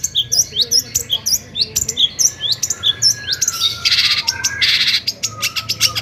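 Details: Long-tailed shrike performing a provoking song for other shrikes: rapid high looping whistles and chirps, then two broad harsh rasps near the end followed by sharp clicks.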